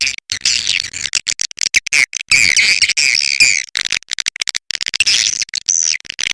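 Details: Swiftlet call used to attract birds to a nest house: dense, rapid clicking and buzzy chattering bursts, broken by short gaps, with many overlapping calls and a faint low hum underneath.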